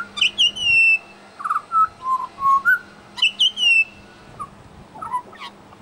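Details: Mimicry by an Australian pied butcherbird in a Brisbane suburb: high, sharp whistled notes followed by lower, fluty phrases dropping in pitch, repeated in quick bursts over a faint steady hum.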